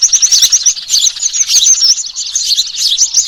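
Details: A lure recording for trapping birds, dated 03-06-2023, of noisy sparrows with small birds: crowded, rapid high-pitched tweets overlap without pause, a busy chattering flock sound.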